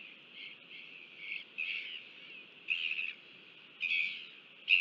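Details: Royal albatross in New Zealand, a father feeding its chick, filmed by a nest camera on 5 February 2023. Five short, rough, high bursts come at irregular intervals of about a second, over a constant steady hiss.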